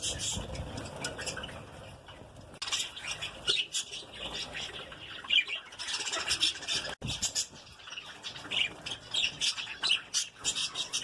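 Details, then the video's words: Lovebirds kept as a breeding colony squawk and chirp shrilly, the calls overlapping in restless, uneven bursts, with one sharp click partway through. "Love birds (Baggies) colony breeding"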